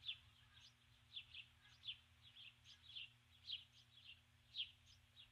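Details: A female osprey at her nest at dusk, 21 July 2015, calls for her mate after arriving with a stick. Soft, high piping chirps come in pairs and short runs about every second, quiet over a low droning hum.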